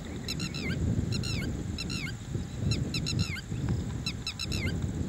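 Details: Red-wattled lapwing giving loud, shrill, down-slurred notes grouped in quick clusters of three or four, the clusters coming about once a second, with heavy low-pitched rumble beneath.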